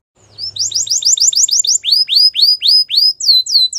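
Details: A Spanish Timbrado canary sings a training song: a quick run of bright, high chirped notes, then slows to clear down-sweeping notes about three per second, with no other sounds.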